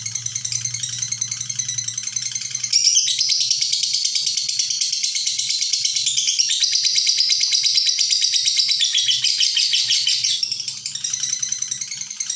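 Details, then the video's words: Extended lovebird ngekek delivered without pause, suited as a tutor for training birds: continuous shrill chatter that grows louder and denser after a few seconds, with fast rhythmic pulsing and a low background hum at first. "Love bird ngekek panjang tanpa jeda"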